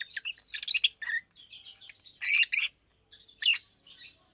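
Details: Two adult Fischer's lovebirds, one pastel green with orange face and one blue with white head, almost two years old, chirping by day; shrill bursts of harsh, buzzy chatter with short pauses, loudest near the middle.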